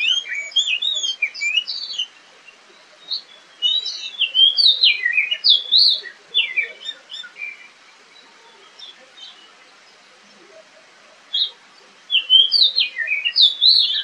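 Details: Oriental magpie-robin in the wild, fired up for a fight, recorded by camera: bursts of sharp, varied whistled and chirping phrases, each a few seconds long, separated by quieter pauses of one to three seconds.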